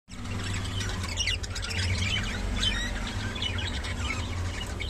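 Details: Rainbow budgerigars kept as pets give busy, overlapping chirps and squeaky warbled notes without pause, over a steady low droning hum.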